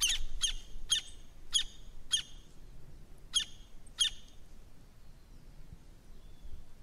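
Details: A Campo flicker sings loud, harsh, ringing notes, about two a second, in an uneven run of seven with one short break, over a low background rumble.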